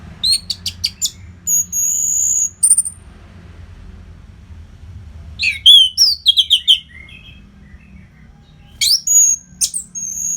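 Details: Orange-headed thrush giving continuous tutor song for fighter birds: quick sharp chirps, a drawn-out high thin whistle, a long quiet gap, then tumbling slurred phrases and another sustained whistle.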